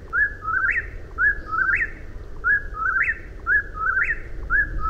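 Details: Eastern whip-poor-will singing its three-part whistled phrase, a short note then a rising sweep, repeated roughly once a second over steady low background rumble.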